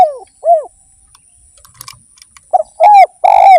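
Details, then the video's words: Spotted dove (derkuku) singing energetically: a series of short, arched, hollow coos, two well spaced then three run closer together near the end, with faint scattered chirps between. "PANCINGAN BURUNG DERKUKU GACOR"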